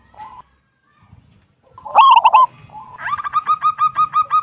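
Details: Local wild zebra dove singing a loud 'kung' song, meant to prompt other doves to sing. Scattered soft coos lead to a loud rolling burst, followed by a steady series of short, clipped cooing notes.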